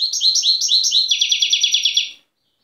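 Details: Wild goldfinch from Tiaret, 2015 recording: four or five spaced, upward-sweeping chirps, then a fast, rattling run of clipped tinkling notes, ending after about two seconds.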